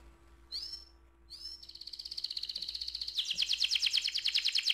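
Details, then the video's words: Long rolling song of an AF canary: two short rising whistled notes, then a sustained smooth trill that grows louder and bursts into a dense, vibrant high rattle; a low steady hum runs underneath. "KENARI AF ngerol panjang"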